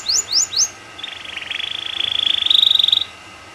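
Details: Canary song meant to prompt other canaries to sing: three sharp rising chirps followed by a long, fast, buzzy trill that grows louder before stopping.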